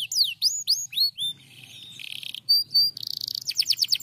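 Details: Canary answering a lure recording with varied song: several high slurred whistles, then a soft buzzy roll, a bright whistled pair, and a rapid rattling trill of repeated notes to close.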